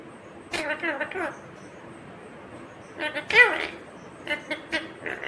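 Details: Indian ringneck parakeet, a green parrot, talking in short word-like bursts, a pair near the start and a cluster of clipped syllables after three seconds, with low background hiss between them.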